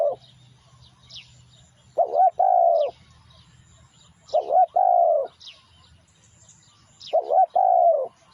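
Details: Spotted dove song used as a lure: three two-part phrases about two and a half seconds apart, each a wavering short coo then a long mellow coo, over a low hum and scattered high chirps of other birds.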